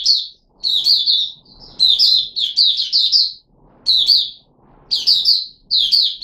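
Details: Kept red-whiskered bulbul, Puteh Raja type, 13 April 2021, given special fruit juice and one mealworm: lively chattering whistled phrases roughly once a second, grouped in bursts with short gaps and faint low noise between.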